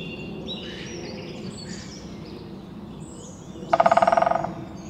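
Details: Pileated woodpecker drumming on a tree: one rapid burst of about fifteen hollow taps lasting under a second and slowing slightly toward the end. It follows several seconds of faint, thin songbird calls over a steady outdoor background.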